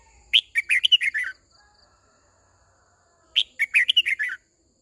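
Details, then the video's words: Red-whiskered bulbul decoy singing to summon its flock and coach young birds. Two quick phrases of sharp, bubbly whistled notes come about three seconds apart. "Tiếng chim chào mào mồi hót gọi bầy đàn, hót luyện giọng cho chim bổi, má trắng"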